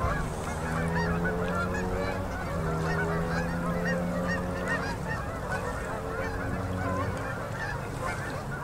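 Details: Huge flock of fall-migrating Canada geese landing on a river at sunset in Manitoba, Canada, October 2018: a dense, overlapping chorus of honks with a low, steady drone underneath.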